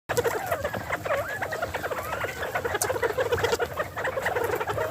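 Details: A flock of captive bobwhite quail, fed spring mix lettuce, keeps up a dense, continuous 'happy' chatter of soft overlapping peeps, chirrs and short rising whistles, with no pauses.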